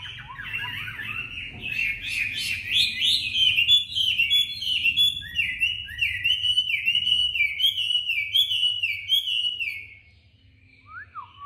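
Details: Tame Chinese hwamei in Hanoi delivering competitive song: a long fluent run of loud downslurred whistles repeated rhythmically, ending with a soft pause and a short rising note.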